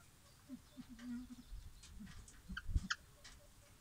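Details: Captive silver pheasants, kept in an aviary or free-range, give a run of low, soft clucks, then a few short sharper notes near the end, over a quiet, slightly noisy background.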